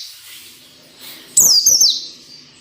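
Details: One intense white-eye phrase of the ngalas nembak type for training captive birds: a bright, shrill run of falling high notes lasting about half a second, preceded by faint high twittering.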